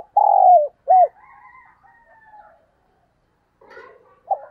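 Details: Spotted dove kept as a decoy bird, calling in the morning: a loud low coo phrase, then a second short coo, with thin higher chirps from other birds and a faint coo at the end.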